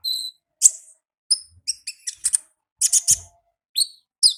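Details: Olive-backed sunbird in the wild singing in the ngalas style: high, sharp chirps and short trills, some in rapid doubled bursts, separated by brief pauses. The background is quiet.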